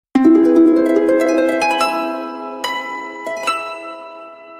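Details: Plucked harp notes ring out in a short rising and falling phrase, with no animal voice anywhere.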